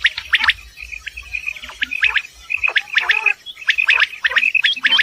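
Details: Common quail calling in the morning near Dera Ghazi Khan, Pakistan, recorded for quail hunting. Sharp, high chirps and clipped notes come in quick irregular bursts, with several birds calling over one another throughout.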